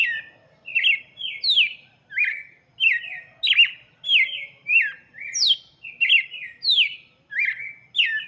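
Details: Red-cowled cardinal in full song for chicks: rapid, fairly regular run of sweet, descending whistled phrases, nearly continuous, alternating higher and lower notes, on a clean quiet background.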